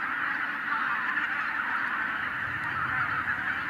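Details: Tens of thousands of wild geese in Hungary, flushed by a white-tailed eagle in 2023, make a dense unbroken roar of overlapping honks and cackles that fills the air without pause.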